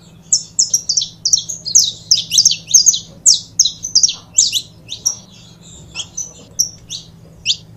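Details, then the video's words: Busy, overlapping high chirps from a pair of saffron finches for the first five seconds, then thinning to single spaced notes toward the end; faint low hum behind. "Casal de Canário da Terra Bom Para Foguear"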